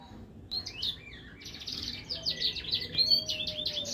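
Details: Finch × siskin hybrid mule delivering rapid-fire 'tembakan' song: after a short pause, a dense stream of high buzzy trills and twitters builds in loudness toward the end.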